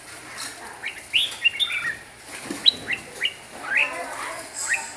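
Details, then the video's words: Red-whiskered bulbul (Huế type) in song: a series of clear, slurred whistles, each sliding upward, repeated roughly every half second, with soft human chatter in the background. "Chào mào huế hót cực nhiều cực đỉnh"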